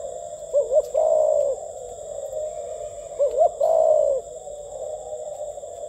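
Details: Captive spotted dove cooing in the 'gù tít' style, twice: each phrase a pair of quick rising notes followed by a drawn-out level coo, about three seconds apart, over a constant low humming background.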